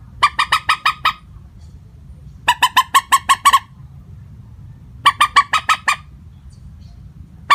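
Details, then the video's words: Common moorhen plain call without variation: bursts of five to seven harsh, clucking notes around one kilohertz, each burst about a second long, repeated every two to three seconds; finding: Common moorhen. "Suara panggilan burung mandar batu.tanpa pariasi nada panggilan"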